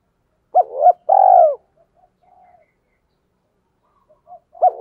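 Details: Decoy spotted dove luring other doves: a hooked low coo followed by a long, loud, downward-sliding throaty note, a few faint notes, then another hooked coo starting.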